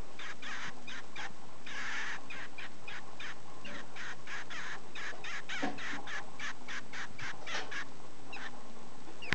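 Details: Pet double-barred finch being stroked after feeding, giving a steady stream of short nasal buzzing notes repeated several times a second, with faint low background noise.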